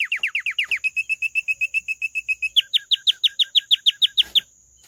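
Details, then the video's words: Canary song: a run of rapid downslurred notes, then a level trilled series of short repeated notes, then louder descending notes repeated about four per second, with a steady high whistle tone throughout. "کەناری ـ الكناري ـ canary"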